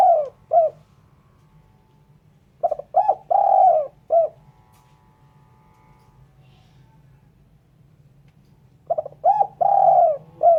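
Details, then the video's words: Clean spotted dove call for luring: three phrases, each two or three quick clipped notes, then a long downslurred coo and a brief closing note, with pauses of several seconds between phrases. "Suara Burung Terkukur/Derkuku bersih cocok untuk PIKAt."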